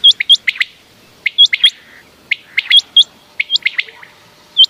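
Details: Common quail giving clipped, upswept whistles in quick pairs and triplets, separated by brief pauses, with a few softer lower chirps between. Presented as a night sound for hunting.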